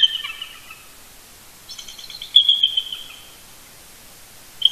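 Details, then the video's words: Bald eagles, the Big Bear Lake, California pair Shadow and Mrs BB, duet before dawn on a Sunday, 18 November 2018, roosting near the nest. They trade thin, high chittering notes, a short run then a longer, louder stuttering series, with sharp knocks. "Eagle Cam ~ Shadow & Mrs BB Duet Vocals Early Morning"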